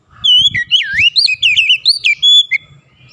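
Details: Kacer, the Oriental magpie-robin, singing a fluid run of loud whistled notes that swoop up and down in quick succession over about two seconds, with faint low rustling beneath.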